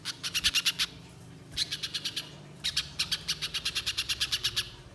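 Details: Spiderhunter singing in the wild, a lure recording: short bursts of rapid, high, ticking notes, each run of about five to fifteen notes, separated by brief pauses, with a faint low hum beneath.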